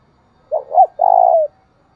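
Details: A single spotted dove lure coo, given to rouse another dove: two brief rounded notes leading into one long, even coo that slides down as it fades.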